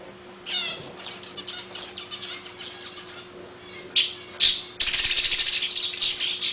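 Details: Long-tailed paradise whydah, a small long-tailed bird with a distinctive chattering song: faint twittering notes, then two short loud bursts and a sustained harsh high chatter over the last two seconds, with a steady low hum behind.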